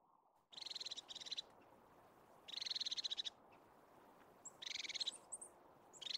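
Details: Crested tit in Caledonian pine forest in the Scottish Highlands gives high, stuttering purred trills in short bursts about every two seconds, over a steady low background rush.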